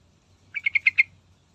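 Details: Song of a yellow-vented bulbul played so that other birds start singing: five quick, harsh chirps rattled off in one tight burst.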